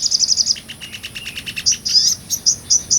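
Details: Sunbird (sogon) singing energetically in 'ngobra' style for training other songbirds: a quick series of piercing high notes, a lower chattering run, then bright emphatic high chirps repeated in fast succession.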